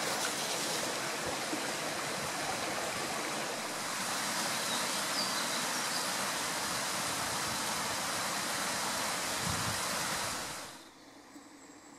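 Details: Steady rushing water like a stream or small waterfall fills most of the recording, then cuts off to near silence, with no animal calls heard.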